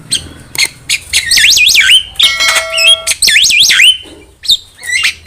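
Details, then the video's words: Lure song of a Javan myna: looping, wavering whistles repeated twice, separated by clicks and a steady pure electronic-like tone, with a low hum in the background. "Pancingan suara burung jalak kebo gacor masteran burung jalak kebo gacor"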